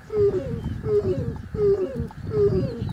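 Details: Crowned crane giving a repeated series of short honking notes, one roughly every three-quarters of a second, each paired with a deep booming pulse underneath; faint higher bird whistles in the background.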